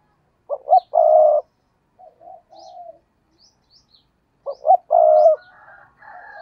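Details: Loud, close cooing from a spotted dove decoy bird meant to lure wild doves: quick stuttered notes leading into a full rich coo, repeated twice with quieter coos between and faint chirps behind.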